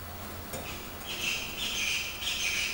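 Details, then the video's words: An 8-year-old pet budgerigar, moulting at the change of season and known to imitate Chinese bulbul calls, sings a warbling chatter of high, scratchy, slightly buzzy notes that starts after a second of quiet and carries on unbroken. "Budgerigar singing / Budgie sounds"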